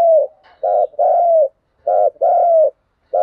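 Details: Luring coos (thúc gù) of a spotted dove: deep, hollow notes grouped in twos. A brief coo leads into a drawn-out, slightly falling one. The pairs repeat about every second and a half, with nothing else audible.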